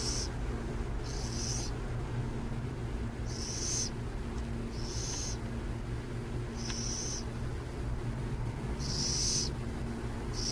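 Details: Burrowing owls near San Jose: hissing, raspy high bursts, each about half a second long, repeated every one to two seconds over a constant low rumble of background noise.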